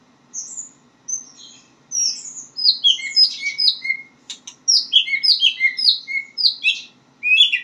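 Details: White-rumped shama learning its song: thin high whistles at first, then a quickening series of bright slurred notes and chirps in clustered bursts.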